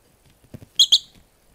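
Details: A female rosy-faced lovebird fighting a yellow lap blanket gives a battle cry of two sharp, piercing high-pitched shrieks in quick succession, preceded by faint low rustling.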